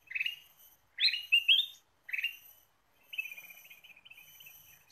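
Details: Ruby-throated bulbul song used as a lure recording: short bursts of bright, warbling notes, some rising sharply, in three quick phrases, then a softer, buzzy chattering run. The background is otherwise quiet.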